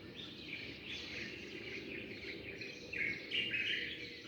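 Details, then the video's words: Dawn chorus of sparrows chirping as the day breaks; a thick wash of rapid, bright overlapping chirps, growing louder toward the end with sharper high notes. "زقزقة العصافير"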